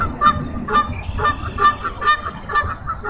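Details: Bald eagle at a Minnesota nest in April, with a pip seen in the second egg during a feeding in late morning: squeaky, piping notes repeated roughly every half second, each note layered and bright, over low background rumble.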